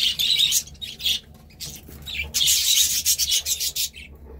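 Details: Budgerigar warbling in quick grating bursts of high chirps, a brief lull near the middle before a second dense run of scratchy notes.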